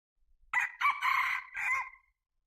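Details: Red junglefowl crowing: one short, clipped, harsh crow of a few broken syllables that ends in a drawn-out strained note, with silence around it.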